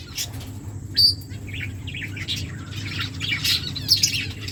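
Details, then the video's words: Finches in an aviary giving short, high, thin chirps and brief twittering notes scattered through the clip, with a sharper peep near the start and a cluster near the end, over a steady low hum. "Finches singing birds chirping sounds"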